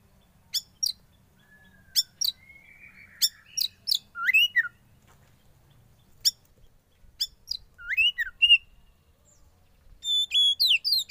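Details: Oriental magpie-robin, a young wild bird in sauna therapy, gives evenly spaced sharp ticking chips, then bursts of twisting whistled notes and a fast chattering phrase toward the end.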